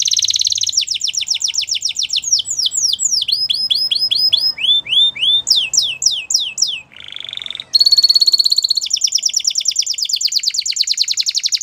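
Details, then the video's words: Wild canary morning song lasting over eleven seconds: fast high trills, chains of descending whistles at different speeds, a brief lower buzzy burst, then a long, loud, very rapid shimmering trill. "Wild Canary Singing In The Morning"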